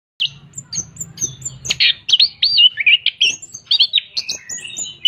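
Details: An Orange-headed thrush in full song while spreading its tail sings a fast, varied run of clear high whistles, sweeping slurs and chattering notes with hardly a pause, over a faint low hum at the start.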